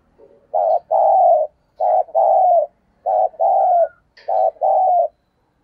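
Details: Decoy spotted dove giving its full cooing sequence to attract wild doves. Four paired phrases of soft, hollow coos, each a brief note then a longer falling one, repeated steadily about every 1.3 seconds.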